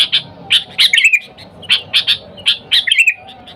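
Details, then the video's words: Sooty-headed bulbul calling wild companions as a lure: rapid sequences of harsh chip notes, some groups closing in a brief bubbly warble, repeated three times. "Suara Dasar Burung Kutilang Gacor Memanggil TEMAN LIAR, Suara Bagus untuk pikat Kutilang"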